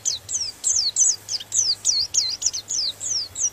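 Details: White-eye song used to provoke other white-eyes: evenly repeated high descending whistles, roughly three per second, over a steady low electrical hum.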